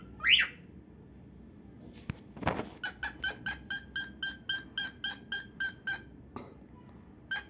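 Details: Pet male cockatiel indoors, taught to sing, opens with a sharp rising squawk, then a quick, even run of about sixteen clipped chirps at roughly four per second, ending with a final single note.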